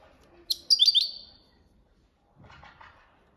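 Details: European goldfinch singing copia Malaga training song: one sharp chirp and a quick rolling twitter, then a softer lower scratchy sound near the end.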